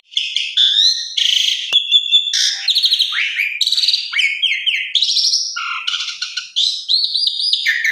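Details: Asian pied starling lure song, played so other jalak suren sing vigorously: a dense, unbroken flow of whistles, harsh rasping notes, sharp clicks and rising and falling slurs over eight seconds.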